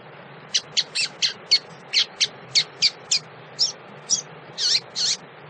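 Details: A female double-collared seedeater calls to stimulate males, giving a steady series of about fifteen sharp, high downslurred chips, roughly two or three per second, ending with two longer notes. Low hum in background.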